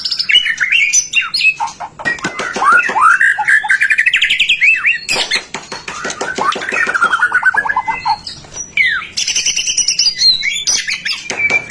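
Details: Continuous white-rumped shama song aimed at getting other shamas singing: rich, varied whistled phrases, rising slurred notes and rapid rattling runs, packed with harsh, clicking bursts throughout.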